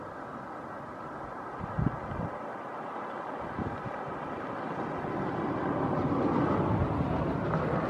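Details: Steady wind and a low engine-like rumble fill the recording, with a couple of brief thumps near two and four seconds and no animal voice.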